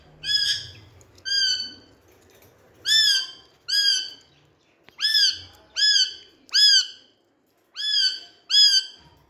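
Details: Rose-ringed parakeet kept as a talking pet in India, playing with a mirror, uttering a series of nine loud, arched squawking calls at irregular intervals over a faint background hum.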